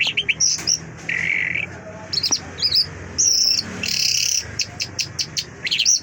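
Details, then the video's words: ['Mashhadi lark song mixing sharp chirps, a steady flat whistle, and bright buzzy trills, broken by short pauses.'] "Mashhadi lark singing مشہدی جل"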